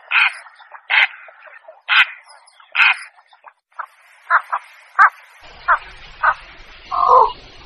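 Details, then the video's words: Lure recording of a Javan pond heron from Indonesia. Harsh, clipped squawks come about once per second, then fainter, shorter notes follow and end in a rougher, lower croak. "suara burung blekok pikat"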